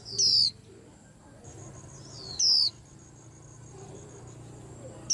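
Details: Calls of a white-eye that sets the whole cage rack astir: short, high, thin down-slurred whistles repeated roughly every two and a half seconds, three in all, above a soft low hum.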